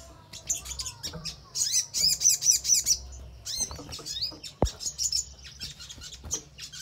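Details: Song of a crimson sunbird, used to draw responses and singing from other birds. Shrill, fast-sliding twitters and chippy notes come in a dense burst, then looser high chirps follow, with one short low thud.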